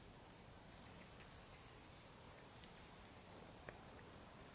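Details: Eurasian penduline tit by the Valchico stream, Madrid, Spain, on 15 May 2021, riparian woodland: two thin, high, drawn-out descending whistles about three seconds apart, faint over quiet background hiss.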